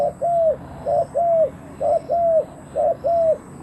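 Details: Decoy spotted dove calling to lure wild doves: four paired coos, each a short note followed by a longer, arched, hollow coo, repeated roughly once a second over faint background hum.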